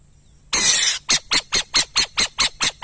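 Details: Burrowing owl: a long, hoarse hissing screech followed by eight brisk, harsh notes repeated at a steady quick pace.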